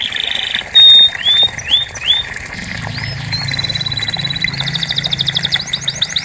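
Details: Canary used to get a silent canary singing: a clear loud whistle and short upslurred notes, then a smooth buzzy trill and quick sweeping notes, with a low hum underneath in the second half.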